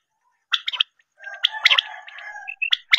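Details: Quail call used as a hunting lure: a few sharp, clipped notes, then a longer buzzy rattling stretch and more quick notes, with short silent gaps.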